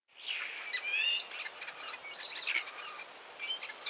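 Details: Common starling singing in 2017, near Wittlich, Germany: a jumble of whistles, rasping notes and chirps at high pitch, with a bright rising whistle near the start and scattered clicks, over soft outdoor background noise.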